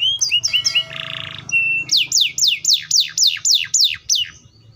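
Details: Loud canary song: a few quick whistled notes, a buzzy burst, a flat whistle, then a run of repeated high notes dropping steeply in pitch, with a faint low hum.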